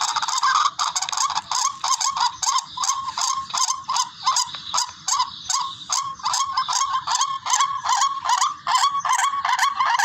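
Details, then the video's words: Barred rail (tikling) lure call for bird hunting: long run of coarse, nasal squawks, each sliding upward, repeated roughly two and a half times per second with a distorted, buzzy quality. "MABISANG PANG AKIN HONI NG TIKLING SOUND EFFECT BIRD HUNTING RUAK RUAK"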